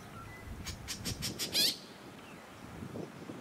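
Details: White-breasted woodswallow filmed on the Sunshine Coast, Queensland, in January 2021: a quick run of five short, harsh, broadband notes that speeds up into one louder, rasping squawk, then quiet outdoor background.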